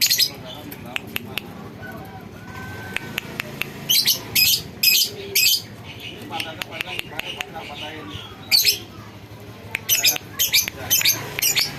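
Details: Bandangan lovebird being tested for its voice: bursts of shrill, harsh, high-pitched chatter lasting under a second each, clustered in the middle and later part, along with scattered sharp clicks and some low background noise.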